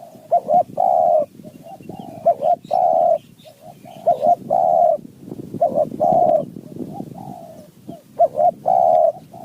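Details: Wild spotted dove from high mountain forest answering a decoy: steady series of coo phrases, a short double note followed by a long hoarse coo, repeated about every second and a half.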